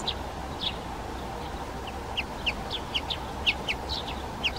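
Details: A wintering flock of bramblings gives short, bright, slightly down-slurred chirps, irregular and overlapping as several birds call together, over a soft low rumble.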